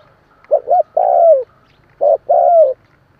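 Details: Spotted dove, a decoy bird's call used to stir newly caught doves into calling: two short clipped coos, then a long, smooth, falling coo. The phrase is given twice in quiet surroundings.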